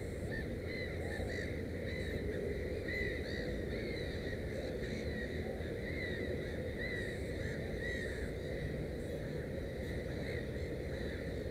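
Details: Black-headed gull calling at a nest holding three chicks; a series of short, hoarse, arched notes repeated at fairly regular intervals above a constant low rumble.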